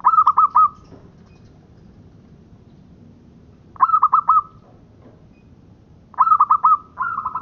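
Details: Zebra dove of a local strain, its call used to lure birds for trapping: three separate bursts of four or five fast, clipped coo notes, the phrases spaced a few seconds apart, with low background hum.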